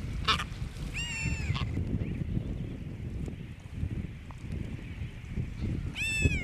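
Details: Brown booby at Johnston Atoll, June 2001, uttering loud, rasping, harmonic calls in two bursts about five seconds apart, each a quick wavering series, against constant wind rumble.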